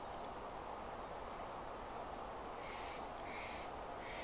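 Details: Black-capped chickadee calling three harsh, buzzy notes in a row, each about a third of a second long, set against constant low rumbling noise.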